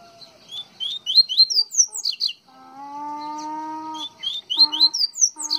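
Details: Coleiro baiano, the double-collared seedeater, from Pernambuco, Brazil, giving fast series of bright, high, slurred chirps in tumbling runs, broken midway by a long, steady, low, humming music tone before the twittering resumes.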